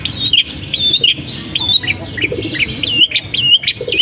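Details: Captive long-tailed shrike singing imitations of canary and other birds: a steady stream of thin, squeaky whistled notes that jump up and down in pitch, with a faint low hum behind.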